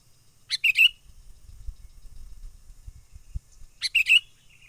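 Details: Wild sooty-headed bulbul, a lure call used for trapping birds: two short bursts of sharp chattering notes around a second long, separated by a quiet pause, with faint low rumble between.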